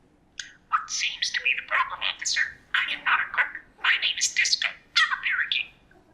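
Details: Disco, a male budgerigar raised with humans for years, chatters in rapid, buzzy, high-pitched bursts, mimicking whole human sentences such as "What seems to be the problem, officer?" in several quick phrases separated by short pauses.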